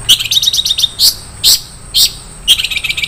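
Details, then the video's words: Long-tailed shrike, isian mewah song: a quick rattle of high ticking notes, then several louder, harsher chirps spaced about half a second apart, ending in another fast rattle. "SUARA BURUNG CENDET - ISIAN MEWAH"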